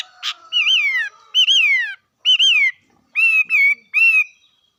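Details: Rich, harmonic whistles from a bird: three long wavering notes that fall at the end, then three shorter level whistles, with faint background tones.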